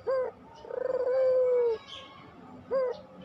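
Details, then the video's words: Puter dove singing pelung style to draw other doves into song. A clipped rising note comes first, then one sustained low coo that starts with quick pulses. A second clipped note follows, over faint bird chirps. "masteran puter pelung, 100% AMPUH pikat PUTER MALES BUNYI JADI GACOR MANGGUNG, PANCINGAN PUTER"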